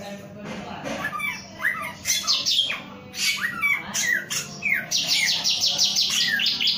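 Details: Male samyong singing: a busy run of short downward-slurred whistles and sharp chips, packed together and speeding into a rapid chattering series near the end, over a steady low hum.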